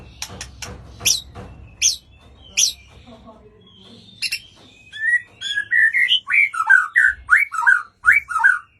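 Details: White-rumped shama singing: sharp clicking snaps for about three seconds, then a quickening run of varied clear whistled notes, some rising and some falling, delivered in short phrases with brief pauses and no other sounds.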